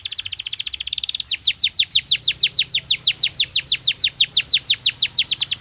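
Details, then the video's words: Canary singing in a cage during breeding season: a fast high trill of rapid notes, then a long run of quick descending whistled sweeps repeated about three times a second. "تغريد كناري طبيعي داخل القفص يساعد الطيور على الانسجام خلال موسم التكاثر"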